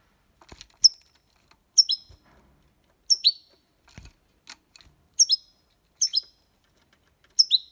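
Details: European goldfinch giving copia Málaga style song for young birds to copy; crisp downslurred high chirps in pairs, repeated roughly once a second, with a few soft clicks and taps between phrases.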